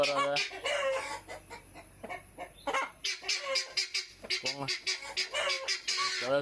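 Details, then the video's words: A confined hen cackles loudly in harsh, repeated squawks that break into bursts, with a man talking over and between the calls. The owner thinks the noise is about laying an egg. "முட்டைக்குதான் நினைக்கறேன் முட்டைக்குதான் இந்த சத்தம்."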